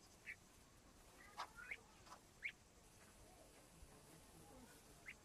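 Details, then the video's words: Small partridge chicks give a few brief, high peeps, scattered irregularly over five seconds against a quiet background hiss. "yavru keklik sesi (küçük yavru) fry partridge sound"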